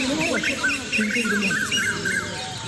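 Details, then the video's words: Dozens of parrots gather in Peepal trees in India on a calm evening as they settle for the night. Several birds give short, shrill chirps and squawks in quick succession while people talk nearby throughout. "Pure Parrot Sounds: An Evening Symphony in the Peepal Trees"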